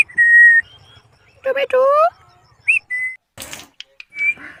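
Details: Indian ringneck parrot, a rose-ringed parakeet, talking in the afternoon with the words "mitthu mummy": clear steady whistles, a short burst of voice-like chatter, a quick upward-curling whistle, then a rough noisy rasp and a final thin whistle.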